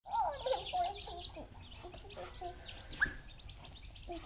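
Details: Baby chickens at eating time, giving a quick run of clear, bending chirps that loop up and down in pitch for about a second, then softer, scattered peeps and a single sharp chirp over low background rumble.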